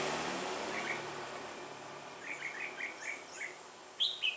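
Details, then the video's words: A red-whiskered bulbul kept as a trapping decoy, recorded on 8 October 2017, sings to lure wild birds. Quick repeated chirps come in a short series, then two louder clear whistles, over a steady background noise. "Bẫy chào mào em bổi Lưng gù"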